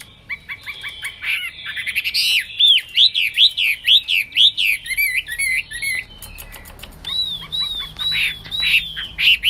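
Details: Singing Hwamei, the wambi: rapid soft ticking notes build into a fast run of loud looping whistles, about two per second, followed by slower rising and falling whistled phrases.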